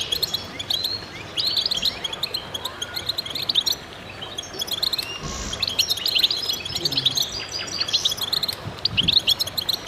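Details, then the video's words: Goldfinches singing in concert, a busy tangle of bright, fast twittering notes and trills that swells and ebbs in bursts across ten seconds, over a soft background hiss. "voices a chorus of goldfinches in concert"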